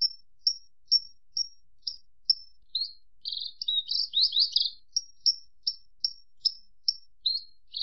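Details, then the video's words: Branjangan song: evenly spaced thin high chips roughly every half second, interrupted by a dense buzzy jumbled phrase, then the chips resume. "Suara Kicau Burung Branjangan"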